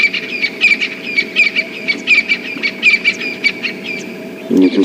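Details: Francolins calling all around on a cold August morning safari drive around sunrise, a harsh, grating chorus of repeated squawks about every second, with a low vehicle hum underneath and a brief voice near the end.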